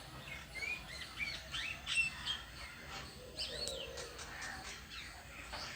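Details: A lone bird on a tree calls with short, bright, rising chirps and brief downward-sweeping notes, several per second in loose bursts, against mild background noise.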